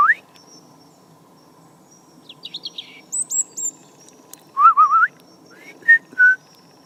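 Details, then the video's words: Garden European robin, a tame young bird, singing on a cold morning in November 2014; varied phrases of rising whistles, very high thin notes, a warbled wavering run, then two short clear whistles. "Robin - Erithacus rubecula - Rødhals - Glóbrystingur - Fuglar - Söngfugl"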